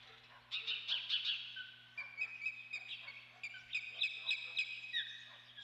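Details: At the Dunrovin Ranch nest on 28 May 2013, an osprey gives a run of rapid, high whistled chirps, irregular and nearly four per second, with a constant low hum underneath.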